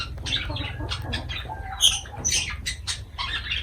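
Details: Feeding lovebirds make broken, high scratchy chirps and short squeals, unevenly spaced, against a low hum and light rustling.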